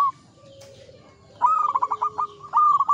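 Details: Zebra dove, local bird in full song, ngepat Mataram rhythm. After a quiet stretch, a phrase of about eight quick bubbling coos is followed by a second, smoother phrase.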